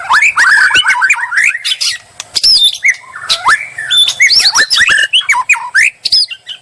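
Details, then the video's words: White-rumped shama singing as bait to provoke a reply: rich varied warbling with slurred whistles and harsh buzzy clicks, phrases delivered in fast loud bursts separated by brief gaps. "murai lansung moncer nglabrak penuh nyali"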